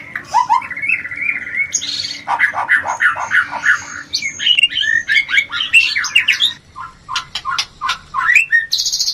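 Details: White-rumped shama mating sound, a therapy for low breeding urge. Warbled mid-pitched phrases and rapid stuttering notes, then sharp separated clicks and whistles toward the end.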